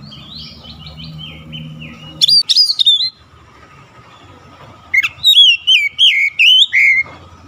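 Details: A quiet opening of faint warbling gives way to two loud bursts of fast kacer (Oriental magpie-robin) song, made of looping whistles and rising, falling notes. The recording is meant to restore a bird that has stopped singing.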